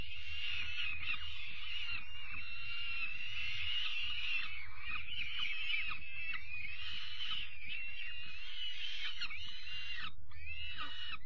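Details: Young peregrine falcon chicks being given their evening meal on 5 May 2021 keep up a harsh, overlapping stream of wheezy, rasping begging cries throughout, over a steady low rumble.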